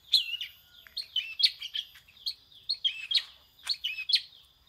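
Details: Long-tailed shrike copying prinia song, with quick chattering phrases of high sharp chirps and short slurred whistles, given in irregular clusters about once a second.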